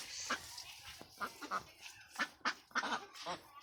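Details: Ducks on a West Bengal farm, India, with short harsh quacks at irregular intervals, some louder and closer, others fainter.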